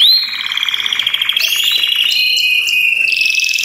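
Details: Belgian canaries singing together as encouragement for other canaries; a quick rising whistle opens into a rapid beaded trill, then a lower steady roll with scattered high notes overlapping.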